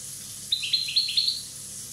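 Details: A one-year-old European goldfinch from Corsica gives a brief run of five rapid, high, liquid twitters, each note dipping and rising, over faint background hum.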